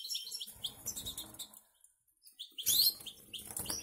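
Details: Canary and goldfinch hybrid in a cage in the Canaries gives fast, sweet twitters and sharp high notes amid rustling and cage noise.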